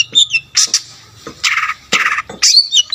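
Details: Long-tailed shrike giving a forceful, varied song meant to provoke other shrikes; harsh grating bursts interspersed with short high whistles, over a faint low hum.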